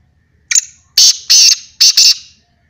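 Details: Black francolin calling: a loud, harsh, grating phrase of five clipped notes within two seconds, the later notes longer and rasping, with silence between.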